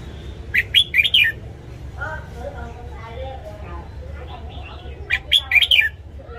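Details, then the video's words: Red-whiskered bulbul morning training song for caged birds: a bubbly phrase of warbled notes, softer mixed chatter in between, then a second similar phrase a few seconds later. "Luyện giọng chào mào hót sáng DÙNG ÉP BỔI / ép má trắng"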